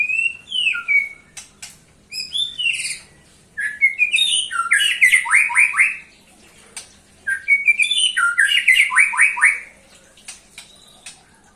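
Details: White-rumped shama singing to lure other shamas: repeated bursts of fast descending slurred whistles and harsh high chattering notes, grouped in phrases of a few seconds separated by short pauses.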